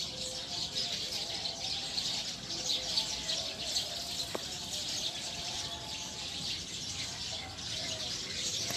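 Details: Wild Eurasian tree sparrows gathering in a tree to roost: a dense, continuous chorus of many overlapping high chirps and twitters with no pauses, over faint low steady hum lines.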